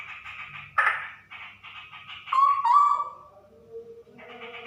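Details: Female straw-headed bulbul singing in the 'super ropel' style: quick runs of rich, bubbly whistled notes, then a fluty slurred phrase sliding downward and fading into softer trailing notes.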